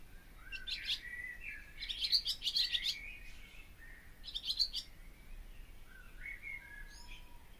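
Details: Barn swallow song: bursts of high, crackling rattles and twitters separated by short pauses, ending in softer slurred warbling notes, with faint background noise.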